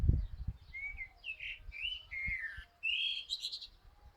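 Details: Common blackbird song: several clear, fluted whistles, each a short slurred note, followed by a bright, thin twittering ending that climbs higher; light low knocks and background noise.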